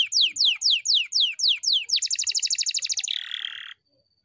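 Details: Canary song with a long roll: a run of descending whistled sweeps about every quarter second, then a fast trilled roll and a buzzy low phrase, ending abruptly.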